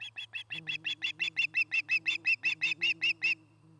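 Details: Osprey at a nest in Charlo, Montana, filmed by nest camera on 09-08-2018. About eighteen clipped, whistled chirps follow evenly and rapidly, loudest in the middle, then stop abruptly. A faint low drone and hum run underneath.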